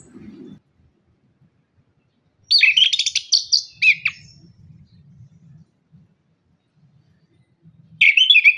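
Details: Orange-headed thrush lure song for birds slow to sing after moulting: a loud burst of rapid, scratchy warbling, a long gap with low hum, then another energetic warbled burst.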